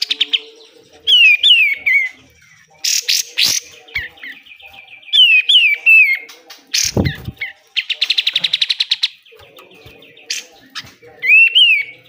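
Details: Pied triller in fast 'besetan' song, a master recording for training caged birds: downward-gliding whistles alternating with buzzy bursts and a dense run of quick repeated notes, plus a few sharp clicks.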